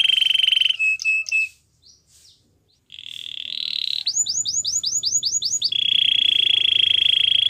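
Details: Gloster canary with buzzy rolled phrases broken by a short pause, then a row of looping whistled notes and a long, steady, rapid trill to finish.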